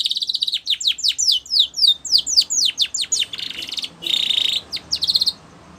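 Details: White Spanish Timbrado canary singing for training. A long run of quick descending chirps rolls into a dense, buzzy, metallic rattle, followed by a few more sharp notes.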